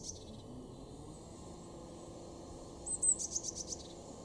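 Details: Eurasian blue tit in a garden at Weener, East Frisia, northwestern Germany, in February 2023: after a faint high note at the start, one piercing high phrase near the end, a thin note running into a quick trill, over steady low hiss.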